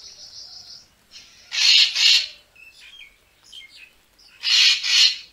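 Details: Racket-tailed treepie calls used to attract birds for photography: two loud grating double bursts with thinner, higher whistled and squeaky notes between them.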